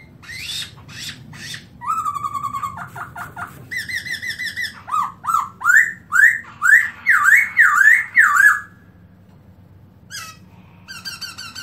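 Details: Black-throated laughingthrush in 2017, singing with an open tail: high thin notes, then a held whistle and a run of short repeated phrases, building into loud rolling looped whistles about twice a second before stopping abruptly.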